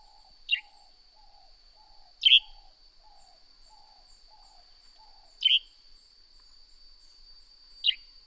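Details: Four clipped, falling chirps from a Northern grey-headed sparrow, unevenly spaced two to three seconds apart. Soft low pulsed notes repeat during the first five seconds, and a steady high whine persists.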